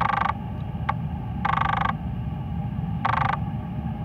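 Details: Chestnut munia (Lonchura atricapilla) at Hung Hom pier, Hong Kong, on 25 March 2020, giving harsh, nasal, buzzy notes about every one and a half seconds with a short click between, over a steady low rumble.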